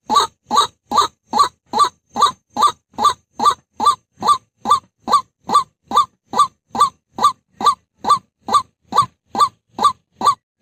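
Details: White-breasted waterhen call used as a lure, played by day: harsh nasal notes repeated evenly about twice a second, over twenty in a row, with nothing else heard.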